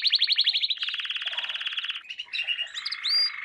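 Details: Canary song from a training lesson for young canaries: a fast, pulsing trill gives way to a buzzy rolling tour, then short twittering notes and a clear rising whistle.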